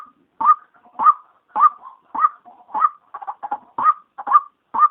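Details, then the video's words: Female white-breasted waterhen lure call by day: strong rasping notes about twice a second. Later the rhythm breaks into quicker doubled stuttering notes, with soft low grunts in the gaps. "SUARA PIKAT RUAK RUAK SIANG PANCINGAN KE-2 | SUARA BETINA"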